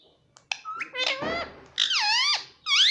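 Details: Pet parrot imitating the words "mummy papa" indoors: a few short squeaks, then drawn-out harmonic speech-like syllables that rise and fall, ending in a high wavering note.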